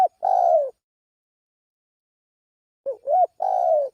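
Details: Spotted dove lure call: a long falling coo, a long silence, then a rising wavering note and another drawn-out coo.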